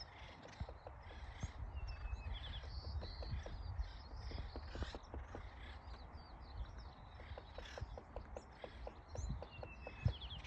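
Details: Woodpeckers pecking in Los Angeles, California: sharp, dry knocks at irregular intervals, sometimes in quick runs of several taps, over a low rumbling background with faint high chirps from other birds.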